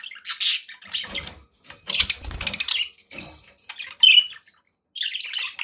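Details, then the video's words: Pet budgies warble in buzzy, scratchy phrases mixed with low thumping and rustling knocks in the middle, then a clear whistled note and a last chattering burst after a short silence. "9 hours of budgie sounds to keep your pets in happy bird company"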